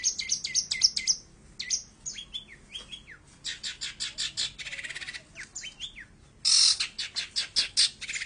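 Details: Long-tailed shrike delivers a lively, varied song of quick chattering notes, sharp high chips, downslurred whistles and harsh buzzy bursts, mixed continuously over eight seconds.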